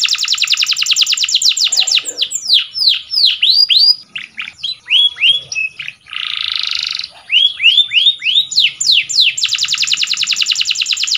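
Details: Canary singing a powerful training song: a fast rolling trill, a run of falling whistled notes, a rasping buzz, more slurred notes, then another rapid trill.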